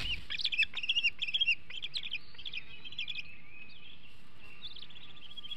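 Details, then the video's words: Young bald eagle in a nest at Hanover in 2021, days before fledging, showing food aggression. It gives rapid, high, squeaky chittering notes in quick bursts, then thinner drawn-out whines, over a steady background hiss. "Hanover Eaglet H313 Shows Food Aggression Days Before Fledge"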